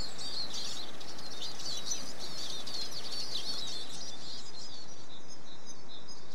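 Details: Eurasian siskin singing a continuous high, scratchy twitter of rapid chirps and buzzy trills, fading toward the end over a steady background hiss.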